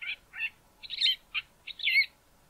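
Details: A male southern fiscal sings near Mountain Drive outside Grahamstown, giving six quick, harsh, grating notes mixed with brief whistles, about two per second, high-pitched and scratchy against a quiet background.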